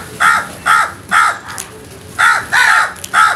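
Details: Rapid run of harsh crow caws, six in about three seconds, given in two bursts of three, each call rasping and evenly pitched with a brief downward curl.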